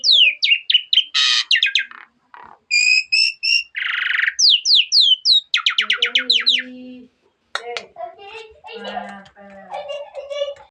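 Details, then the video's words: Varied Asian pied starling song: rapid clicking notes, buzzy bursts and rattling series, then lower warbled chatter, with a brief silence partway through. "Jalak Suren Full Isian Mewah"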